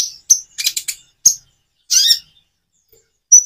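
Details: Common iora song, with natural pauses, used as a lure to prompt birds that rarely sing to answer: short sharp high chirps and brief buzzy bursts separated by silent gaps.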